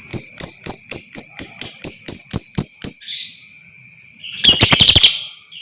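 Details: Lovebird chatter used as a lure to provoke long trilling: a fast series of shrill, sharp chirps about four per second, then a brief buzzy pause and a dense burst of rapid, scratchy chattering, over a steady high whine.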